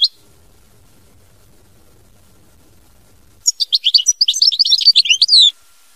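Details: European goldfinch delivering a 'mama binette' style song. After a brief note and a quiet stretch, a two-second run of fast, bright tinkling notes ends in a sustained buzzy tone. No other sounds.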